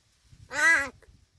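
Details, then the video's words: Talking crow from Gargaon, Palghar, known for imitating speech, gives a single harsh, nasal caw lasting about half a second, with faint low rumbling in the background. "गारगाव बोलका कावळा.. आता अधिकच स्पष्ट बोलतो"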